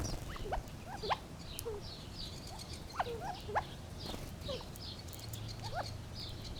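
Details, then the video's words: Gambel's quail giving scattered short, upslurred chip notes, a few loud ones spaced irregularly across several seconds, over a faint steady background hiss. "Funny Sounds of the Gambels Quail"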